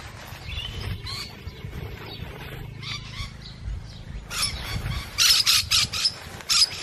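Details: Feeding musk lorikeets: soft scattered chirps and rustling at first, then a rapid series of harsh, shrill screeches packed close together near the end, over a low background hum.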